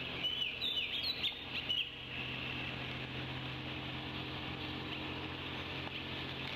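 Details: Bald eagle eaglets on their Decorah nest on 16/05/25, flapping their wings in rain on a warm day after a fish feeding. Squeaky, high chittering notes come in a quick burst during the first two seconds, then steady rain hiss.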